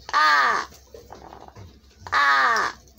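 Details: Large-billed crow being taught words by a person: two loud, harsh, hoarse caws about two seconds apart, each falling slightly at the end, with quiet low sounds between them.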